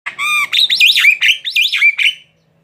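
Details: Javan myna, a tame bird, singing: a steady harmonic whistle followed by a run of loud warbled, rising and falling notes that end abruptly.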